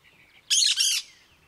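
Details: Cactus parakeet (periquito-da-caatinga) giving two harsh, raspy screeches in quick succession, each about a quarter second long, against a quiet background.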